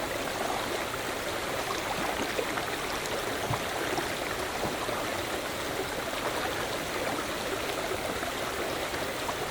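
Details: Steady rushing and gurgling of a stream fills the whole recording, with no animal calls standing out.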